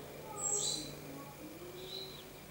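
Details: Common starling (Sturnus vulgaris), recorded 21 May 2016, giving a quick, very high, thin squeaky burst, then a short slurred whistle, over a low steady hum.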